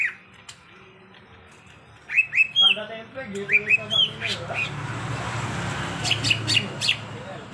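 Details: Greater green leafbird in lively, nonstop song: two quiet seconds, then bursts of sharp, whistled high notes and squawky chattering phrases. They come in quick clusters over a low background hum.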